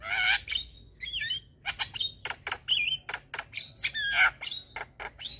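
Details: Javan myna song played so stressed mynas respond: loud harsh squawks, fast ticking clicks and twisting whistled phrases jumbled together in a varied chattering run, with a quiet hum below.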